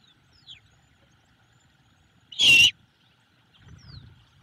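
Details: Hungry great horned owlet in a camera-watched nest giving a begging call for food: one loud raspy hiss-screech, with faint high bird notes before and after and soft rustles.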